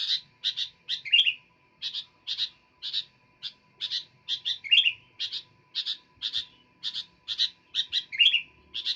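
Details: Sooty-headed bulbul in persistent song, delivering quick paired chirps in a brisk even rhythm, with three louder swooping notes spaced through the run; a thin constant hum lies underneath.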